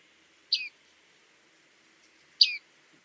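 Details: A bearded reedling (Panurus biarmicus) gives two bright, metallic 'ping' notes that drop in pitch, about two seconds apart, against a quiet background.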